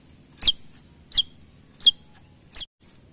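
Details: Four sharp, high, hooked tsik notes from a small Javan tesia, evenly spaced about two-thirds of a second apart.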